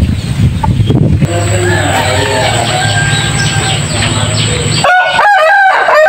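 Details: Village rooster in Indonesia gives a harmonic crow near the end, preceded by several seconds of low background rumble, faint clucking and a steady high-pitched tone.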